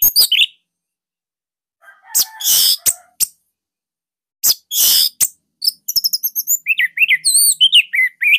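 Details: Orange-headed thrush song used as a master recording to train other songbirds: loud broadband bursts separated by silences, then quick whistled wavering notes and slurred phrases at the end.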